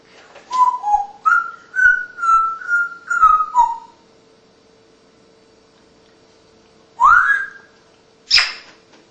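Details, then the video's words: Mature female African Congo grey parrot, a rescue, whistling indoors: a run of short, level, clear whistled notes in quick succession, a pause, then a rising whistle and a sharp high squeak, over a faint steady hum. "The most Talking African Congo Grey Parrot"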